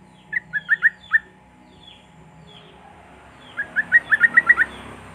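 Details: Sooty-headed bulbul lure song for silent birds: a handful of spaced, rising chirps, a brief pause with soft distant notes, then a quickening run of about eight bright notes.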